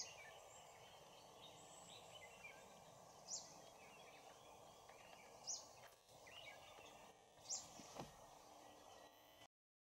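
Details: An Oriental dwarf kingfisher (Ceyx erithaca) at Bondla Wildlife Sanctuary in March 2019 gives three thin, very high, shrill single notes about two seconds apart over a steady hum of background noise.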